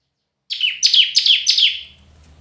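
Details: Competitive singing by a red-whiskered bulbul: one quick run of about five loud, ringing notes, each sliding down in pitch, ending with a faint low hum.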